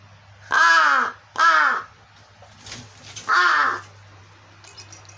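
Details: Crow, apparently a pet kept indoors and not actually hungry, giving pleading hoarse caws while pretending to be hungry, ignoring a baby's rattle toy: three drawn-out harsh, nasal calls about a second apart, with a steady low hum behind.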